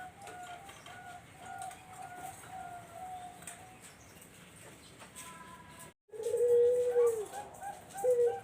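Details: Barbary dove used to lure zebra doves: faint, thin coos at first, then after a short silence a loud, low, arching coo followed by a shorter one.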